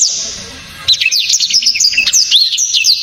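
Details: Blacktrod with a loud, sharp, very clear song admired by Indonesian keepers; a faint start, then an abrupt run of rapid high whistled notes, zigzag slurs and bright chips lasting about two seconds.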